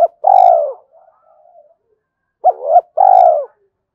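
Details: Spotted dove calling as a decoy to challenge and draw in wild doves: two phrases, each a long purring coo descending in pitch, the second preceded by quick arched notes.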